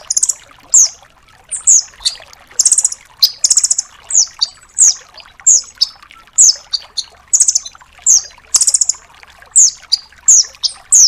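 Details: High-pitched master song of a rambatan doraemon nuthatch, full of 'tembakan' bursts, kept for training other songbirds: short rapid chirps and sharp downslurred notes in quick, uneven succession, clean and close.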